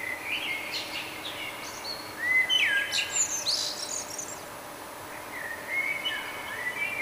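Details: Nightingale in Budapest, Hungary, singing at morning in May, recorded on a Canon Powershot SD1000: a varied sequence of whistles, slurred notes and rapid high chips, with louder phrases in the middle and a softer trilling passage after.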